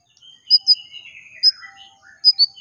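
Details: Brown-throated sunbird song used to draw other sunbirds into singing: sparse sharp high chips in pairs, linked by a thin wavering twitter that slides downward, with long pauses between bursts.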